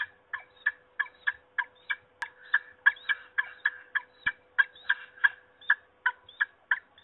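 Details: At Trzebież in Poland, 26 March 2021, a peregrine falcon gives a long run of hoarse, clipped notes, roughly three each second and fairly even, with a constant faint hum beneath and one sharp click.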